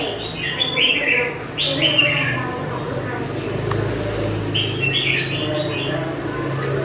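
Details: Caged red-whiskered bulbul, young and half-moulted, five months in a cage, gives two bursts of bright, slurred whistled phrases about three seconds apart, with a low steady hum underneath.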